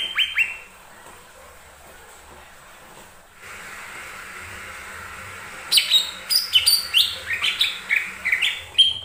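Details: Lesser green leafbird song used as a lure to set other birds singing: two brief whistled notes open, a quiet gap follows, then a dense, rapid burst of sharp slurred and chirping notes fills the last three seconds.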